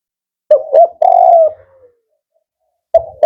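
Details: 'Kuk 4' style song of a male spotted dove, described as firm and rhythmic. A phrase of two quick coos and a drawn-out falling coo, with a new phrase starting after a short silence.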